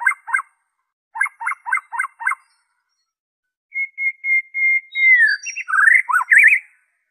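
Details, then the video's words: White-rumped shama song without mimicry, used to prompt captive birds to sing: paired clipped notes repeated quickly, a pause, then a series of steady whistles ending in rising warbles. "PANCINGAN SUARA MURAI BATU ORIGINAL TANPA ISIAN"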